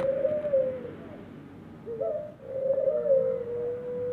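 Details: Aviary ringneck dove giving a long, even coo that slides slightly downward, then a short hiccuping break and another drawn-out mellow coo held steady at the end.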